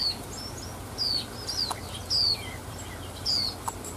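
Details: A female white-eye in the wild gives thin, high, down-slurred whistles about once a second, with faint soft chirps between them over a quiet background; used to excite male white-eyes.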